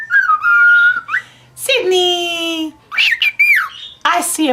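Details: Male white-faced cockatiel kept as a pet, beginning to talk, gives a steady whistle, then rich harmonic whistled notes that bend up and down, while a person speaks to the bird indoors.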